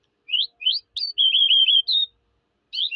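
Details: A singing Eurasian skylark gives two quick rising chirps, then a sharp note and a buzzy warbled trill that ends on a clear whistle. A short pause follows before another chirping phrase starts.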